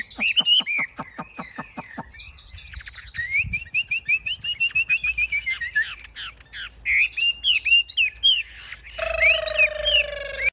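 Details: Large caged Chinese hwamei singing: about two seconds of rapid repeated sharp strokes, then a buzzy trill, a run of evenly spaced upslurred whistles and varied chirps, ending with a noisy harsh passage.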